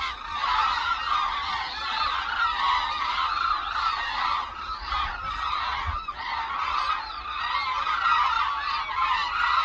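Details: Migratory hooded cranes gathering over the Suncheon Bay wetland, South Korea: a steady chorus of many overlapping nasal trumpeting calls, with a faint low thump midway.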